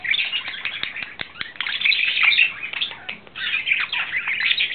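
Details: Budgerigar male courting in April 2009 gives a rapid, gurgling warble of chirps and harsh squeaky notes, loudest in the middle, then a brief lull and more chatter.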